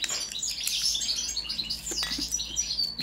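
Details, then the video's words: Goldfinch of the Balkan subspecies balcanica pouring out a dense, high, tinkling and buzzy twittering song with rapid chirps and a few sharp clicks. "Kontrola pesme, štiglić, češljugar, grdelin n, carduelis balcanica"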